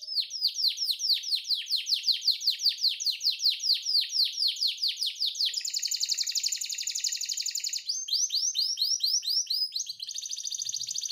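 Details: Canary singing a long, unique cengkok for masteran training of caged birds: a long series of fast repeated swooping high notes, then a dense buzzing trill, then more rapid swoops and a final trill.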